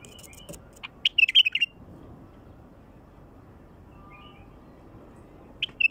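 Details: Wild bulbul song, used to attract wild bulbuls: a short burst of bright, chirpy warbled notes just after the first second, a faint phrase in the middle, and another brisk burst at the very end, with quiet between.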